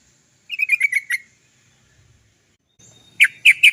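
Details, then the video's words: Yellow-vented bulbul, locally trucukan, singing to draw song from other birds: a quick burst of six bubbly rolling notes, a pause, then three loud, sharp chips. "TRUCUKAN GACOR ... suara cok cok cok ngerol panjang PANCINGAN burung trucukan agar cepat bunyi"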